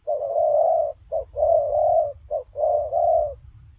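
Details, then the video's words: Spotted dove cooing while on the run, a short burst of three long hoarse coos separated by quick clipped notes, low-pitched and loud, with low background rumble. "Gù Lèo rồng vừa chạy vừa gù"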